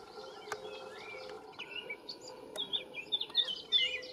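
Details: Canary Islands chiffchaff at Valleseco, Gran Canaria, in May 2022: thin, high chirping notes and short rising slurs, loosening into a quickening series toward the end, over a steady low hum and other distant birds.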